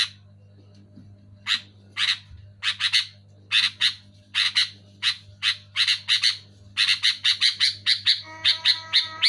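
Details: Sooty-headed bulbul calling loudly and clearly, played to stir sluggish caged bulbuls into singing: harsh chattering notes, mostly in quick pairs, speeding into dense runs, then a brief tonal whistled phrase near the end over a low steady hum.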